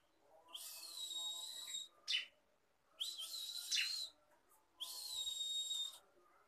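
Bar-winged prinia giving three high, wheezy, buzzing phrases, each over a second long and spaced about two seconds apart, with a few short sharper notes between.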